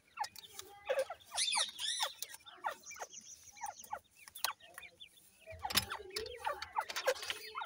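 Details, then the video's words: Grey francolin chicks during feeding: a busy mix of sharp, high chirps and quick down-slurred peeps, some in rapid bursts, with a brief loud rustle near the middle and a low background hum. "grey francolin chicks nice voice"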